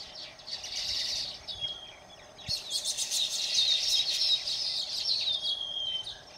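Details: Baya weaver recorded at Phaltan in Satara, Maharashtra, India, giving high, rapid sizzling chatter in two bursts, thin whistled notes threaded through the buzzing, the second burst louder and longer.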